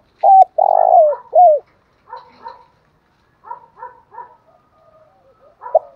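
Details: Spotted dove cooing, edited for luring and provoking rival males: three loud, low hooting coos in quick succession, the middle one long and drawn out. Softer, broken coo notes follow, then one short loud coo at the end.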